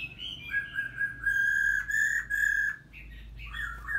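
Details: Female red-whiskered bulbul, three moults old, singing energetically to stimulate a male: a run of clear whistled notes, steady and level, broken by short rising slurs, with a constant low hum beneath.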